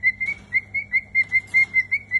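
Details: A cockatiel gives a steady series of short, clear whistled notes, about four per second.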